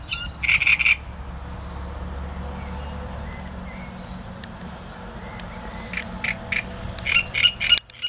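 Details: Short harsh phrases from a great reed warbler at the start and close, separated by a long stretch of quiet background hum.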